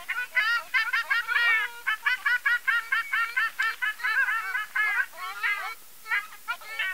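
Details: Ruddy shelducks calling: a continuous chorus of nasal, honking notes, each harmonically rich and slightly wavering, repeated rapidly and overlapping as several birds call together.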